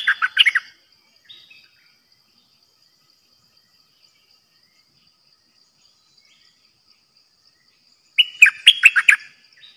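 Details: Decoy bulbul in a cage, used for trapping birds, sings a bubbly, warbled phrase. After nearly eight seconds of quiet, it gives a similar phrase of quick, fluty, tumbling notes.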